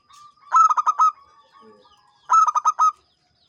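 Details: Local champion zebra dove, song described as gacor ngancing: two quick rhythmic phrases of about five bubbling coo notes each, separated by a short pause, plus faint soft notes between them.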